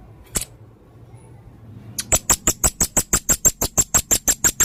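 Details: Blue-crowned hanging parrot, a red-throated male in active song: one lone sharp click, silence, then a steady, fast train of about eighteen very high, piercing tsit notes, roughly four per second.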